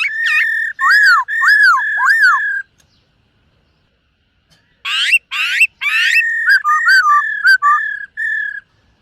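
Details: Silver-eared laughingthrush singing to train its voice in the morning: looping whistled notes that dip and rise, a silence, then sharp sweeping upward notes and a string of varied whistles.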